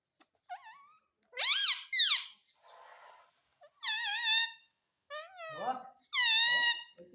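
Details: Talking rose-ringed parakeet repeating "mummy": a series of loud, nasal, wavering syllables in pairs and singles, separated by quieter murmurs, with a low rough sound in between.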